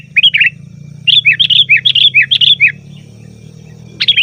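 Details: Noisy chatter of a sooty-headed bulbul, used as a lure call for wild birds. A brief bubbly phrase is followed by a longer run of about ten rapid, liquid, up-and-down notes over a low droning hum.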